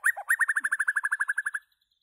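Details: Loud singing from a white-rumped shama: a rapid even trill of about fifteen rich fluty notes lasting over a second, ending abruptly.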